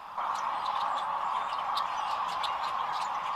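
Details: Large spring gathering of sandhill cranes at Rowe Sanctuary, Gibbon, Nebraska, April 4, 2015, via crane camera: a steady roar of overlapping rattled calls from countless birds, with brief sharper notes poking out above the din.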